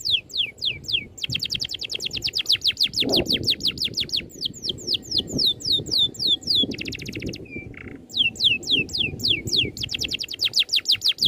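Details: Oriental magpie-robin in long rolling masteran song, switching between runs of steep falling whistles and rapid dense trills, with a brief buzzy note and short gaps between phrases.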